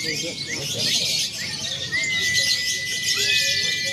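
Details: Simulated lovebird free-action contest with konslet, fighter and paud styles, for training birds; fast high chattering with a sustained steady whistle and several short rising slurred notes.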